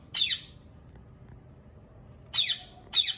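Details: Ringneck parrot calling: a single shrill, grating screech, a long quiet gap, then two more harsh screeches close together near the end.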